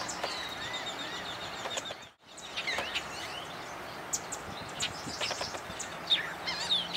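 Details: Bobolink song recorded close up: a rapid, bubbling jumble of tinkling, metallic notes that skip up and down, broken by a brief cut partway through.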